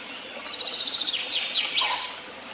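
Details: Birdsong: a quick series of high chirps speeds into a trill, then sharp descending slurs and a lower note near the end, with soft background hiss.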